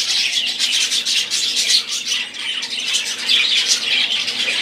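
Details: Budgerigars chattering in chorus, a constant stream of high twittering warbles and sharp squawky notes that swell and dip slightly in loudness.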